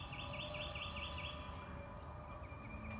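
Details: Forest birds singing after yesterday's storm: a run of quick looping high chirps for the first second and a half, then fainter scattered notes and a thin steady tone, over constant low-pitched background noise.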